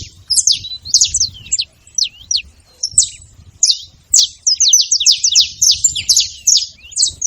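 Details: Saffron finches making noise in company; scattered thin, high chips at first, then a denser overlapping stream of sharp descending notes from more than one bird.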